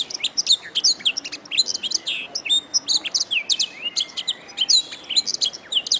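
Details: Canary song used as a master recording for training songbirds: a continuous stream of high, sharp chirps, short whistled sweeps and clicky notes in quick varied bursts against a quiet background.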